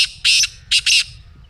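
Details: Three harsh, rasping notes from a black francolin, delivered loud and close. A long grating note is followed by a quick double.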